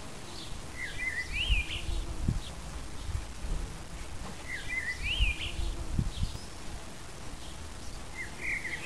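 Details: Common blackbird singing short, fluty warbled phrases about every four seconds in an English wildflower garden, over a steady low rumble of wind and a faint hum of bees.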